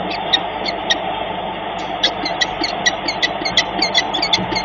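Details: A peregrine falcon at its nest site in Dobra, Poland, on 2 May 2021 gives short, sharp, high chipping notes in quick irregular bursts over a steady roar of wind and hum.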